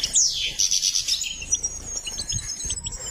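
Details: Goldfinch trained for singing opens with a loud, bright buzzy phrase that fades into sparse high chips beneath a faint steady whistle.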